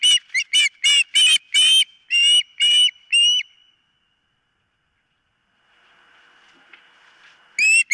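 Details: Osprey at its nest, filmed by a nest cam: a rapid burst of about eight loud, piercing whistled notes with rich overtones over three seconds, then a quiet pause with faint hum before one more sharp note.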